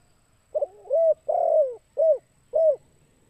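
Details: Spotted dove kuk 2 call from a lure recording. A stuttered double note and a sustained coo are followed by a long falling coo, then two short hooting notes at even spacing. The recording is clean, with a slight low hum.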